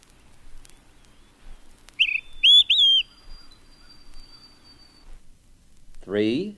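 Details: Olive-sided Flycatcher song among songs of eastern birds: one loud whistled three-note phrase, a short first note then two slurred higher notes, and a man's voice speaks briefly afterward.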